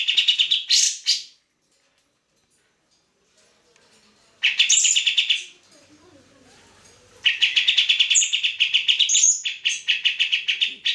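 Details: Vigorously singing grey-cheeked bulbul, a tutor recording for training other songbirds: three bursts of rapid scratchy chatter with high sharp accents, separated by pauses of a couple of seconds, with faint background rustling.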